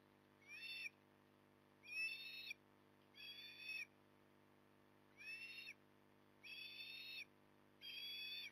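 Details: Osprey calling from its nest in Port Lincoln, morning of 9 October 2020: six harsh, whistled cries in a loose rhythm, about one every 1.3 seconds, each a short wavering note, backed by a constant low hum.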